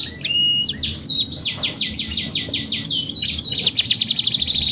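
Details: Canary singing a long continuous song used as training for other birds; rapid high trills, sweeping whistled notes and fast repeated chirps with no pauses, over a faint low hum.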